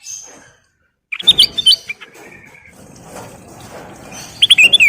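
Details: Lure recording of a sooty-headed bulbul in full song. Short bursts of twisting, chirped whistles come near the start and end, with steady background noise between.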